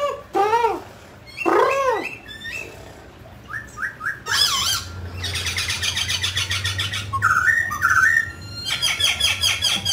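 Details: A mutant grey laughingthrush performs a singing and dancing display: two loud arching wail-like notes, a run of short whistles, then harsh rattling bursts alternating with clear whistled phrases.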